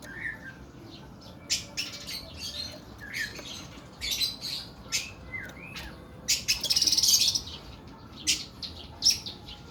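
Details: Kuku Bima oriental magpie-robin in its long, rough 'nembak' singing: rapid harsh buzzy notes and clicks, a short low whistle, then a sustained grating rattle lasting about a second, followed by more scratchy chips.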